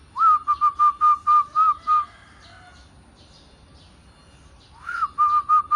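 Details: Zebra dove (perkutut) singing: two phrases, each opening with a rising note and then a run of about eight evenly spaced, clear whistled coos on one steady pitch, with a gap of near silence between them.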